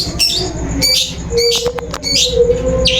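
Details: Long-tailed shrike lure sound for drawing a bird into song: short bright chirps and harsh rising notes in bursts, over a steady low hum and faint regular ticking.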